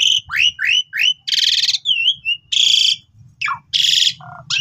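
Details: Jalak suren, the Asian pied starling, singing loudly as a training master for young birds: quick downslurred whistles, harsh buzzy rasping bursts, a wavering whistle, a steep downward slur and low nasal notes.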